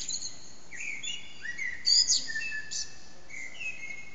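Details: Common blackbird's early morning song, about 4:40am, recorded on an HTC Desire in a backyard where echoes amplify the voice. Clear mellow whistled notes, some rising and some gliding down, mix with bright high chirps throughout.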